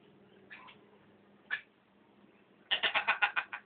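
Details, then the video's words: Hill myna at a house imitating human speech, repeating street vendors' shouts it hears passing daily. Two faint syllables, then a quick run of seven sharp, evenly spaced chattering syllables to close. "Burung Beo Bisa Bicara jualan Tape,,cari uang perak.."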